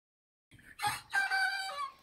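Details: Young Americauna and Black Copper Maran roosters, about two months old, crow for the first time at about 5 am. A short, hoarse, screechy crow in two rising-then-falling parts, cracking and unsteady, lasting about a second and a half.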